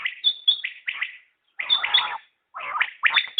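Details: Common quail, known locally as batair, calling in short bursts of quick, clipped notes grouped in threes, separated by brief pauses of about a second, with no other sounds.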